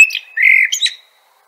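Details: Common blackbird (Turdus merula) singing a brief phrase: a steady fluty whistle in the mid range, then a thin, high squeaky twitter that closes the phrase after about one second, followed by silence.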